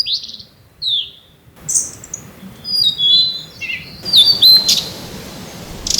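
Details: Blue-and-white flycatcher singing during a territorial contest between two birds in spring: short clear downslurred whistles, then a quick jumble of high notes and a final ringing flourish; quiet background.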